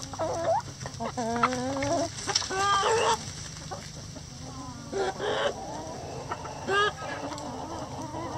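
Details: Rooster crowing in a sunny backyard coop among a mixed flock of egg-laying breeds, bantams and barnyard mixes: loud harmonic crow near the middle, amid frequent short clucks and cackles from other hens with steady low background hum.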